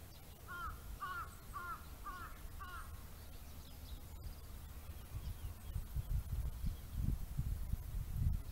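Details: A lesser cuckoo, heard and recorded on a phone during a walk, gives a quick run of five loud, arched whistled notes over low rumbling background noise, with four or five other bird species also calling.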